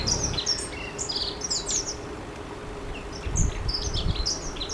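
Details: Long-tailed tit in a rush: many thin, high, short chirping calls tumbling in irregular bursts, over steady low hum and wind rumble.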